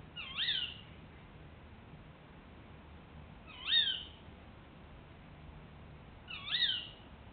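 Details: A tawny owl gives a territorial call in August, telling juveniles it is time to leave and warning other owls away. It is three sharp, shrill 'kee-wick' calls about every three seconds over a faint low background hum.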